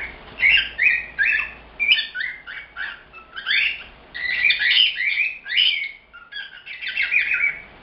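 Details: Indoor pet cockatiel, a young male that never falls silent, pouring out continuous chatter: rapid squeaky chirps and short warbled whistles packed back to back, with brief pauses between bursts.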